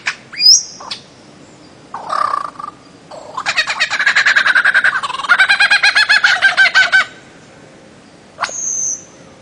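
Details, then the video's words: Bird-of-paradise giving a high whistle, a short throaty note, then a long rapid chattering series of pulsed harsh notes, ending with a thin whistled note. "kicau burung cendrawasih"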